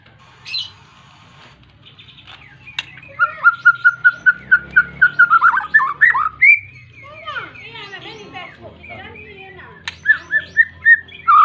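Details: White-rumped shama singing persistently to call a rival, meant to provoke other shamas to sing; a rapid train of evenly repeated whistled notes, then descending slurred phrases and another quick repeated series, over a low background hum.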